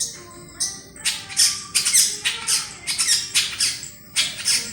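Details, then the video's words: Long-tailed shrike song used as a lure: harsh, raspy chattering bursts with squeaky notes, delivered in uneven phrases about every half second to second, in a small reverberant space. "pancingan burung cendet gacor"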